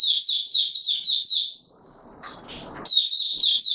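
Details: Oriental white-eye (Mata Puteh Raja) in courtship mode, recorded 25 January 2022 after sleeping late, giving rapid high, twittering warbled phrases; a brief pause filled with soft rustling noise before the chattering resumes.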